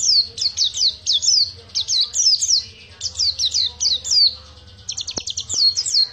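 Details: An Oriental white-eye sings ngriwik panjang, a long twittering style: repeated sharp, downward-slurred high chirps in quick clusters, then a rapid ticking trill, with two faint clicks late on.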